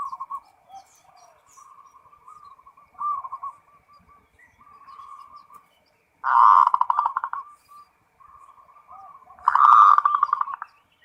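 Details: Full ngerot song of a zebra dove: long runs of soft rippling coos, then two loud harsh rolling bursts of rapid pulses, each fading into quieter purring notes.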